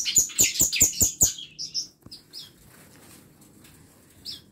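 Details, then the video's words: A bird in a small home aviary of song-tutor birds gives six sharp, very high notes in quick even succession, followed by a few softer chirps and near silence. "KANDANG AVIARY ISI NYA BURUNG BURUNG MASTERAN"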